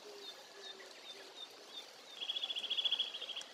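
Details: A Eurasian nuthatch (Sitta europaea) singing at Togakushi gives a fast, even trill of about a dozen high whistled notes, preceded by faint scattered high notes and soft lower calls, with a Japanese bush warbler also audible.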